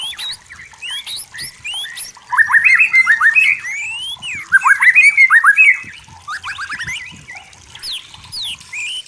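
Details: Wild forest white-rumped shama, natural song: clusters of rapid upward-sweeping whistles and chattering notes delivered in two loud bursts, with quieter scattered high chirps and slurs before and after.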